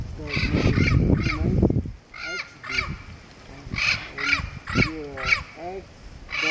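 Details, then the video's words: Turquoise-fronted Amazon at Pouso Alegre, Pantanal, Brazil, on 23 September 2013, giving nasal, rich squawks and chattering, speech-like notes, about two a second. A low human voice rumbles at the start. "Amazone à front bleu (Amazona aestiva, Turquoise-fronted Amazon)"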